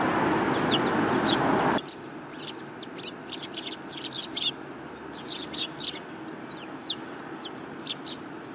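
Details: City sparrows coming to be fed, 30 November 2015; a loud burst of broadband noise opens, then rapid high twittering chirps follow in busy clusters against quieter urban background.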